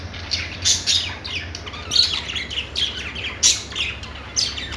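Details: Budgerigar chatter made of short scratchy chirps and squawks, each burst sharp and bright, repeated at an uneven pace of roughly two or three per second.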